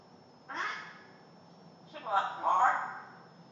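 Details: Marley, a female pet African grey parrot, imitates farm animals, giving a short nasal burst, then a longer, harsher two-part quacking phrase a second and a half later, over a faint steady hiss.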